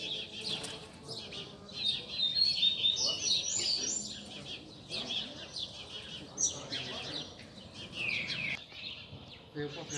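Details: Rusty-collared seedeater tutor song used for teaching young birds and warming them up: fast, busy twittering phrases of high trills and slurred notes, with faint background noise throughout.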